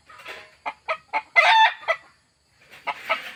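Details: Desi hen clucking: a series of short, harsh, nasal clucks, one longer squawk in the middle, a brief quiet gap, then more clucks, clear with no other sounds.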